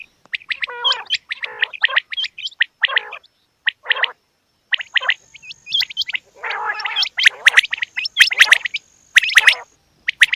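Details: Female quails produce a dense stream of throaty gargling notes and sharp chirps, with a thin steady tone appearing midway and bursts of hooked whistles toward the end.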